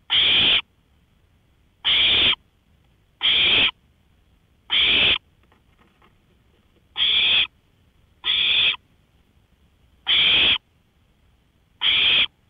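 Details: At 1:53 AM on May 5, 2013, an owl on a porch repeats rough, hissy screeches. Eight half-second bursts come at slightly uneven gaps of about one to two seconds against a quiet night.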